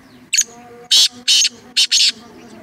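A francolin gives five harsh, scratchy bursts in quick succession, high-pitched and grating, spread over about two seconds.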